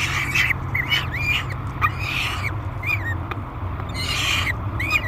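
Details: Peregrine falcon youngster screaming while being fed at the Great Spirit Bluff nest box, July 2021: short rasping squeals with upturned tails, repeated roughly twice a second, over constant low background hum.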